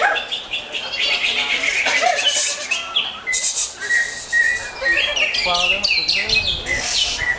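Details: Greater green leafbird singing a dense, fast medley of bright chirps, whistled slurs and buzzy bursts, nearly continuous, while people talk in the background.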